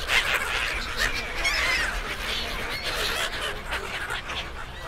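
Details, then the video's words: Gulls by the hundreds at a pier outside Bangkok, Thailand, fed by visitors: an unbroken din of high cries and squeals blends with crowd noise and low rumble. "1000 Seagulls Crowds"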